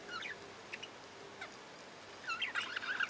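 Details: Budgerigars: a few soft, scattered chirps, then a burst of rapid, scratchy warbling notes that twist up and down over the last second, with a faint steady hiss beneath.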